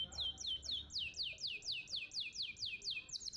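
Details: Tutor recording of a champion contest canary (masteran kenari juara gantangan): a steady series of high, sharply descending swept notes, about three to four each second, evenly spaced throughout.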